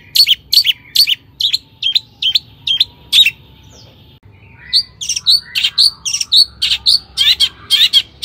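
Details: Long-tailed shrike in energetic song, played as a lure for other shrikes: fast run of piercing downswept notes, a short pause, then a busier sequence of varied sharp, chirping notes.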